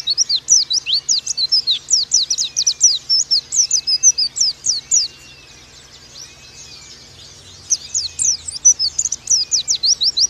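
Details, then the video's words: Oriental white-eye in the rapid 'nembak' singing style. Dense streams of shrill, falling whistled notes pour out at high pitch, a brief lull carries only faint thin calls, and a quick energetic flurry follows. "Pleci Bakalan Nembak Pake masteran ini!!!"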